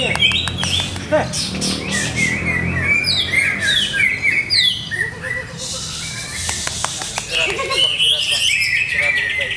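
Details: Greater green leafbird, caged, setup still being tried: a long energetic medley of quick whistled notes, downward slurs and buzzy chattering bursts, some softer lower notes between phrases.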